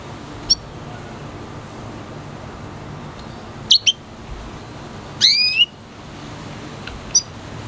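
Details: Singing F1 cross of red hooded siskin and canary: sparse high ticks and paired chirps, then a loud rising buzzy whistle, and another thin chirp near the end.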